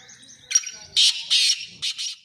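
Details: Black francolin, a kept bird: a clear high note then three loud, harsh, rasping phrases in quick succession, crisp against near silence.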